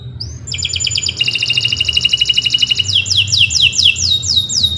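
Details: Canary singing a long, persistent song meant for training other birds: a sharp high note, then rapid buzzy trills that shift into slower, evenly repeated paired notes near the end, over a faint low hum.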